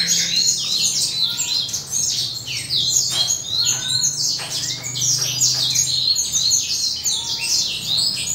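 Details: Adult male Western Citrils singing in morning sunshine as the breeding period nears. Several birds give high, fast, jumbled twittering with short downward-sweeping notes, accompanied by a faint low hum.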